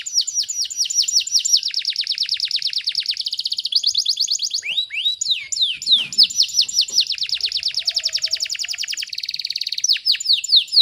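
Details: Canary singing a dense, rapid song meant for home tutoring of other birds: long runs of quick downward-sweeping notes alternating with sharp upward slurs and brief steady high trills, continuous throughout.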